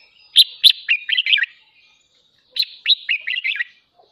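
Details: Caged red-whiskered bulbul singing in the morning, kept for voice training and to stir other birds into competitive singing; two lively phrases of sharp chirps and quick warbled notes, each about a second long, separated by a two-second pause.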